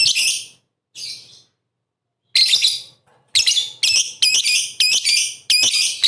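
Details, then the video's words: Lovebird in steady song, played to provoke rivals: scattered shrill chattering bursts with pauses, then closely packed squeaky notes quickening toward the end. "pancingan MP3 bikin emosi lovebird kalian tarung tingkat tinggi"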